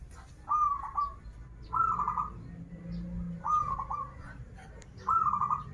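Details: Zebra dove from Banten, a local vigorous singer, uttering its 'krital' and 'warung kebek' song: four short trilled coo phrases at roughly one-and-a-half-second intervals over a steady low hum.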